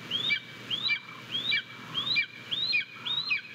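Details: Golden eagle nest, Japan, 22 May 2023: thin, high rising chirps repeated about every half second, six in a row, as the father delivers prey and the eaglet Nina starts eating; soft low background rumble.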